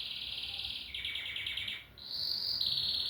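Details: Canary song: a bright steady trill, then a row of quick descending chipped notes, a brief gap, and a higher sustained rolling trill to close.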